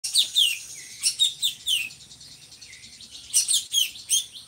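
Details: Drongo, a bird kept as a song tutor for other birds, singing in full voice: bursts of sharp, high chirps and short downslurred whistles in quick clusters, a brief pause, then another chattering burst.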